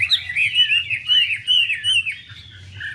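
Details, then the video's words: Chinese hwamei, a female fanning her feathers to rouse the male; quick series of looping whistled phrases, strong and rhythmic, dropping to a quieter low note at the close. "Họa mi mái múa xòe thúc trống nhanh lên lửa"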